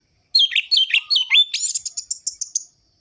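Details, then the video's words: Orange-headed thrush in vigorous 'gacor' song of the ngerol-ngeplong style, used to stir listless birds. Sharp, varied, bright whistled notes fall and rise in quick phrases, then a fast ringing series of high notes; a brief low trill runs beneath. "ANIS MERAH GACOR ABIS untuk pancingan bunyi burung anis merah yang loyo"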